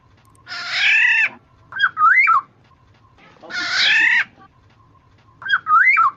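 Black-naped oriole alternating a harsh, nasal, rasping squawk with short liquid fluty whistles, twice over about six seconds; a faint steady hum underneath.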